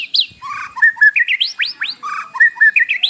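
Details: Morning lure song of a white-rumped shama with mimicked fill-ins, meant to get a captive bird singing: a varied jumble of warbled whistles, short clucks and steep upward-sweeping notes delivered without pause.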